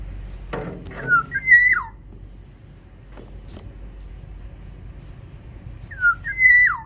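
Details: Caged in an aviary, a Sumbawa black-naped oriole gives two mellow whistled phrases about five seconds apart, each a low slide, then a higher held note falling away; a knock sounds just before the first.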